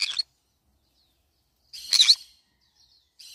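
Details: A green-cheeked conure that has been eating banana leaves gives three short, harsh, raspy squawks, spaced one to two seconds apart, with quiet between them.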